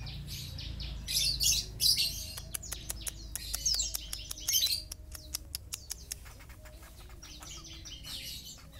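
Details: Long-tailed shrike from Sapudi giving bursts of harsh, scratchy, buzzy chatter, separated by runs of sharp, dry clicking notes, with low background rumble.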